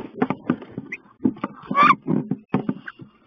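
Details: Two female wood ducks fighting fiercely inside a nest box on 16 May: heavy thumps, scratching and scuffling fill the box, broken by a few short, squeaky, rising calls.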